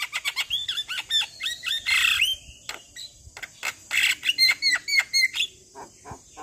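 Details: Javan myna singing a packed, varied song used to train and provoke other mynas: rapid harsh chatter and squawks, a noisy burst, then a string of bright paired whistled notes and dry clicks.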